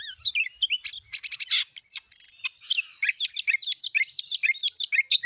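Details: Oriental magpie-robin in lively song, used as a lure to provoke other magpie-robins to sing: rapid varied high chirps and whistled notes, a burst of harsh buzzy notes, then quick repeated two-part phrases at about three per second.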